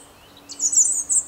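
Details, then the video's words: A European robin sings a quick burst of very high, thin, tinkling notes with a short high note at the end; a faint low hum runs beneath. "Robin singing"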